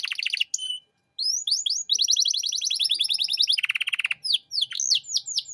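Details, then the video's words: Canary trilling in 'cengkok mewah' style, a master recording for young birds: dense rolling trills, a pause, a long rapid rattle of repeated notes, a lower buzzy trill and closing swooping whistles. "Masteran Kenari Gacor Cengkok Mewah untuk Burung Bahan"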